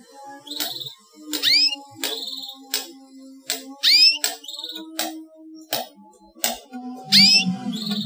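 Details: Chirping of a young canary, offered to coax non-singing canaries into song: a quick run of sharp upswept chirps and brief buzzy trills, irregularly spaced, over a soft low indoor hum.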